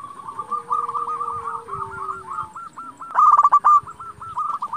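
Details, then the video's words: Local zebra dove singing to rouse rivals and breeding urge: continuous overlapping cooing notes, then a loud rattling burst after three seconds leading into evenly repeated coos, with lower dove voices behind. "Perkutut lokal gacor Sekali Putar Lawan Pasti Emosi Langsung Nyaut"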